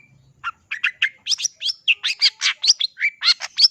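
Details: Long-tailed shrike, called pentet locally, in full song: a fast, continuous run of varied chirps, whistles and rasping notes, about two per second, rich and high-pitched.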